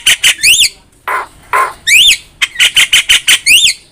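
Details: Javan myna singing as a master track for training songbirds: rapid clicking bursts with buzzy zigzag notes, broken by two low harsh rasps.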